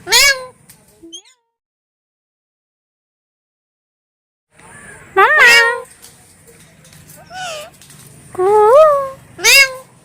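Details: Pet talking parrots, kept indoors, give two loud harmonic squawking calls with wavering, upswept syllables, then fall silent for several seconds before three more bursts of speech-like chatter over a faint steady hum.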